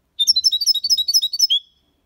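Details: Singing goldfinch performing the Málaga copy, used to teach young birds: a fast, evenly spaced string of bright, high twittering notes ending in a short drawn-out trill.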